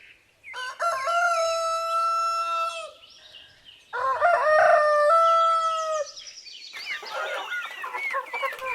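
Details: Rooster crowing: two long, harmonic-rich crows with a brief rise then a sustained held note, followed by clucking and chick-like chatter, with faint music.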